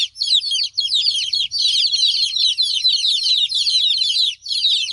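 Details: Cute baby chickens peeping together, a steady overlapping stream of high, sharp chirps that barely pauses across the whole stretch.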